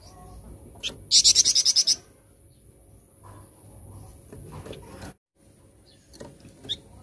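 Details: A flamboyan bird singing loudly: a fast burst of about eight sharp, high, evenly spaced notes lasting under a second. Faint low background noise and a few softer clicks follow.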